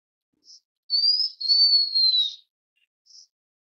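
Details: A blue-winged minla gives one long, pure, high whistle that rises at first then eases steadily downward, bracketed by soft brief chip notes before and after, with no other sounds.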